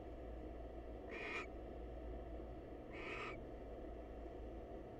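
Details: Wild female barn owl calling hello to a male at a research nest box; two brief wheezy screeches two seconds apart, a faint low hum underneath.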